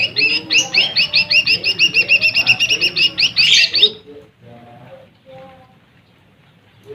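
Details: Lesser green leafbird song used to provoke rival birds: a rapid run of about fifteen bright, sharply inflected high notes, roughly four per second, ending abruptly and followed by quieter low chatter.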